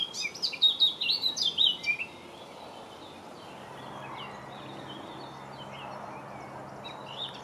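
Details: A Eurasian blackcap (Sylvia atricapilla) recorded in May 2018 sings one quick, rich, high, varied warbling phrase lasting about two seconds, followed by quiet countryside with faint distant birds.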